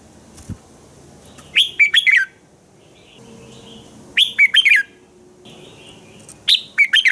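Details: Red-whiskered bulbul singing in the morning, recorded for training other bulbuls. Three short, rollicking phrases of four whistled notes recur roughly every two and a half seconds, with faint chirps between them.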